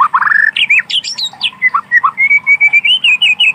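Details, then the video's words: In wild forest, a white-rumped shama sings quick varied whistles, then a steady series of about a dozen evenly spaced clear high notes, over a faint low hum. "Suara asli alam burung Murai Batu"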